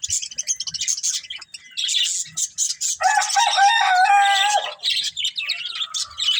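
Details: Budgies feeding on green food produce fast high chirps and warbles, then a longer stacked, slightly nasal warbling phrase, with busy overlapping chatter from several birds.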